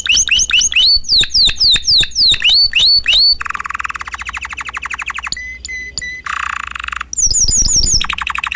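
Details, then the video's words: Caged canary singing loudly: rapid repeated sweeping notes, a long buzzy rolled trill, a few sharp separate chirps, another dense trill, then fast sweeping phrases again. "Lovely Cages canary singer اقفاص طيور التسميع الكناري جميل جدا"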